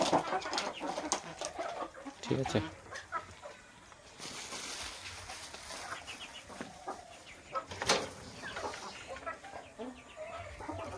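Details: Desi chickens clucking as they come down to eat food put out for them, with several short clucks and squawks mixed with rustling, handling noises and a man talking.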